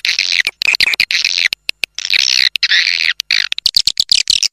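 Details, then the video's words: Swiftlet lure sound of the Raja Liur type for drawing in swiftlets: loud, buzzy, high twittering phrases in quick succession, with clicks between them. "Suara Panggil Walet Raja Liur Terbaru Call Swallow Birds"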